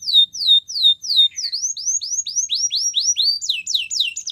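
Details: Singing Russian canary: slow descending whistles, then upswept notes that curl over, speeding into quick looping twisted phrases toward the end.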